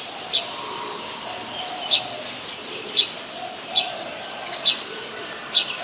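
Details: Brown-throated sunbird calling on 13 January 2021 in Ubon Ratchathani, Thailand, recorded on a Nikon P1000. Six short, piercing high notes come roughly one per second, with soft muffled background tones underneath.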